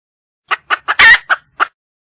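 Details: Wild red junglefowl hen calling for a male: a short run of sharp, clipped clucks around one louder, harsher central note, six notes in about a second, on a silent background.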